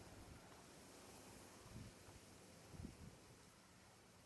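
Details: Steady wind rumbles and hisses across the microphone with a faint surf-like wash; no animal sound is heard.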